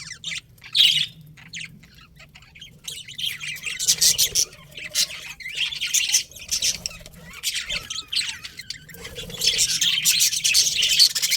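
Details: Budgerigars chatter in scattered bursts of scratchy chirps, quieter early on and building to a louder, denser stretch near the end, over a low steady hum.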